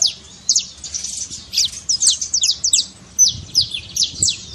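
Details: Trill of a saffron finch meant to fire up a quiet canary, with high sliding notes strung into quick runs, pausing briefly between phrases, and faint low rumble beneath.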